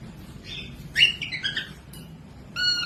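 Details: Cockatiel song used to train birds to sing: a few squawky harmonic chirps clustered in the middle, then a steady whistled note with stacked overtones at the end, against soft background hum.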